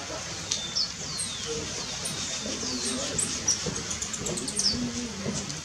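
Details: Buff-tailed coronet in Colombia giving thin, very high chips and short squeaky notes at irregular intervals, with faint descending whistles and a low murmur of background noise. Buff-tailed coronet.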